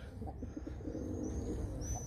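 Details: Tame tumbler pigeon, a domestic bird being hand-trained, gives a quick series of soft, low, muffled coo notes in the first second, with a thin high whistle from another bird and low background rumble.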